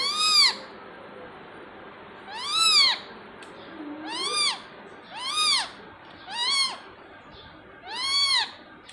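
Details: Talking pet parrot calling for its owner: six loud, arched, harmonic vocal phrases repeated roughly every one and a half seconds, each rising then falling, over a faint room hiss.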